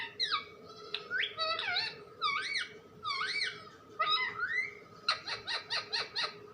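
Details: Talking pet parrot: a string of bent, whistled, speech-like syllables in short phrases, ending with six quick evenly spaced harsh notes.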